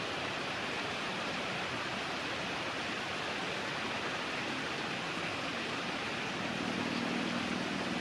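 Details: Steady rushing water noise, like a stream or waterfall, fills the recording with no animal voices.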